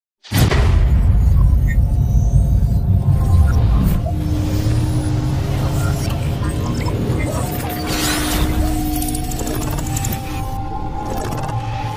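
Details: Loud music over a heavy low rumble, with some speech mixed in; no animal calls can be picked out.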